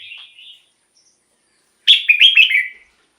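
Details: Red-whiskered bulbul song kept for luring wild birds or rousing caged birds: a short high warble, a pause, then a bright run of four quick whistled notes sliding downward.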